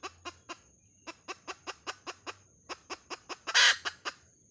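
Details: Hen calling in short, clipped clucks, repeated in quick runs with brief pauses, and one louder harsh burst near the end.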